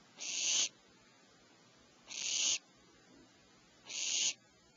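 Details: Three evenly spaced breathy screeches, nearly two seconds apart, from owlets in a nest cavity at 04:47 PST while their mother brings medium prey.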